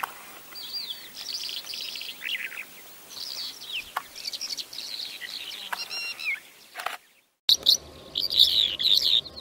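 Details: Bimaculated lark song, recorded in Turkey: a continuous jumble of high, scratchy warbled phrases and short rising and falling whistles, broken by a brief silent gap before a louder, sharper burst of chattering notes.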